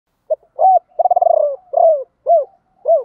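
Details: Decoy spotted dove calling to lure wild doves, in the ba hậu style some call bổ ba: soft mid-pitched coos, then a rapid stuttering pulsed roll, followed by several separate arched coos about half a second apart.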